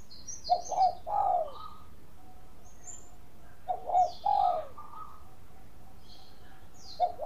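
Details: Bangkok-type zebra dove singing actively, used as a lure to provoke other doves to sing: mellow, low staccato coos in short clusters of three or four notes every few seconds, with faint high chirps from other birds.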